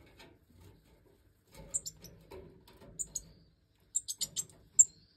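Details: Hen European goldfinch of the Major line feeding her last five fledged chicks after they left the nest, captive breeding season 2024; sharp high squeaks in rapid clusters of three to five, with soft shuffling noises between.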